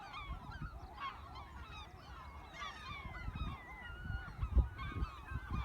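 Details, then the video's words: A crowd of gulls at a freshwater reservoir in Rye, Kent, crying constantly: dense overlapping yelping notes that rise then fall, with steady low rumble and occasional louder thumps beneath. "The Sound of Seagulls"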